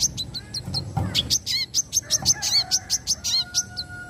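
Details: Energetic 'wiceh mbeset nembak' song of a brown-throated sunbird: continuous quick chirps and sharp ticks, several short descending trills, delivered nonstop, with a faint steady hum in the background.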